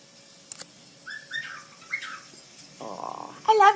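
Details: Pet Quaker parrot chattering to its owner indoors: short whistled speech-like notes, a buzzy rasping stretch, then a loud, harsh, rising squawk at the end, with the owner greeting it.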